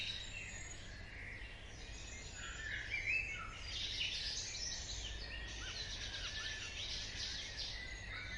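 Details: Birds of a dawn chorus early in the morning: many overlapping high chirps, trills and thin whistles blend into a dense bright wash, some sliding whistled notes standing out, with a steady low hum beneath.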